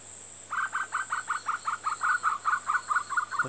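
A Sri Lanka frogmouth gives a quick run of about sixteen hoarse, chuckling notes, gently falling in pitch, over a steady high insect whine.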